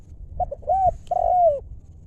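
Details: Single 'lew' style 'mor lam' phrase from a wild-stock decoy spotted dove: two brief low notes, a rising-falling coo, then a longer coo sliding downward at the end.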